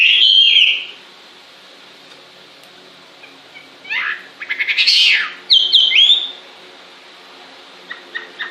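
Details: Songbird in full voice, with a short bright whistled phrase, a long pause, then a burst of rapid buzzy notes and a sharp whistled phrase, followed by faint scattered chips.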